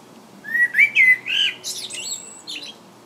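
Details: Common blackbird perched and singing in England: low, mellow fluted warbling notes that slide and waver, then a thin, high-pitched twittering flourish to close the phrase, against a quiet background.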